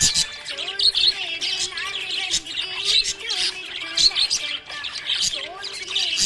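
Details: Happy budgerigar chirping: continuous high, bright twittering and short squeaky notes over a melodic song with singing playing underneath throughout.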